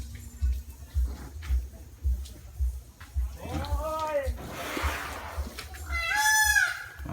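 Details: Two loud, wailing peafowl calls, each a rich, arched, nasal cry, about two seconds apart, startle a large elephant into running; a steady low rumbling thump and a brief rush of noise run beneath.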